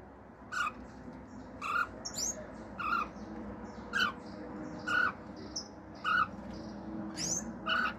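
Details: Male pet cockatiel kept at home singing natural songs, including wolf whistles, clicks and imitated birdsong: short soft chirped notes repeated roughly once a second, with an occasional high squeak, over a hissy, humming background.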